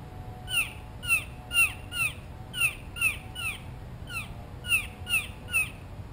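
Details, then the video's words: Blue jay right by the microphone, seeking a peanut: a rapid series of short, squeaky, down-slurred notes, about two per second in uneven clusters, with a faint steady hum behind. "Amazing Blue Jay Calls - Up Close and Loud"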